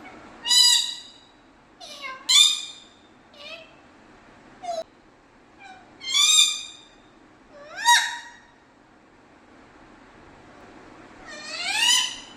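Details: Pet parrot in Kerala, India, talking in Malayalam, producing a series of harsh, harmonic, word-like bursts and short squeaky syllables, some sweeping upward, spaced irregularly every one to two seconds in a quiet room.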